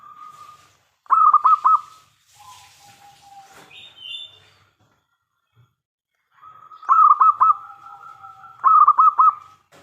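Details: Big-voiced local zebra dove, a lure bird meant to draw answers from other doves. Three loud phrases of four or five fast pulsed coos each end in a steady tone. Quieter background cooing and faint chirps are heard between phrases.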